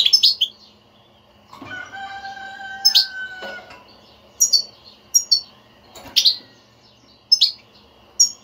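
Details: European goldfinch batbata, a chattering song played to get a silent kept goldfinch to sing; short bright chirps in clusters with a steady whistled tone in the middle and pauses between bursts.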